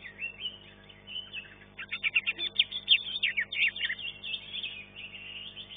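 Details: At a songbird contest, a green leafbird in the first class, third-place finisher, pours out quick chattering and whistled notes that speed into a dense burst of sharp chirps before trailing off, with constant background hum.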